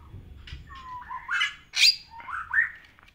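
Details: Long-crested Bali myna singing: a varied phrase of whistled rising slurs, a sharp loud screech in the middle, then more upslurred whistles and squeaky notes, with faint low background rumble.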